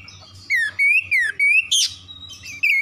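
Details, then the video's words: Oriental magpie-robin singing as a lure to start other magpie-robins singing: several loud drawn-out whistles, some falling and some gently rising, separated by brief pauses, then a harsh burst and a final rising whistle, with low background hum. "PANCINGAN TERCEPAT KACER MACET BUNYI LANGSUNG GACOR"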